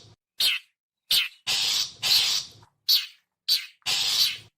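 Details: Long-tailed shrike, known locally as cendet or pentet, giving harsh rasping buzzy calls, short and longer bursts spaced irregularly about every half second to a second, used as a lure for wild birds.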